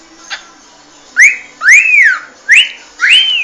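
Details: Loud cockatiel whistles, each rising sharply and then arching or leveling off, repeated four times in quick succession.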